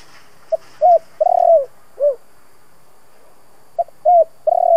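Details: Spotted dove, a lure bird trained to provoke rivals in Vietnam, giving low hoarse coos in two bursts: short notes rising into a long drawn coo, repeated after a pause.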